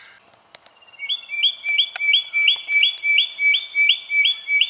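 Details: Spotted quail-thrush recorded in Victoria, Australia, in January 2012: after a quiet start with scattered clicks, a steady series of about ten piping notes, each a bright upswept note above a steady lower tone, repeated roughly three times per second.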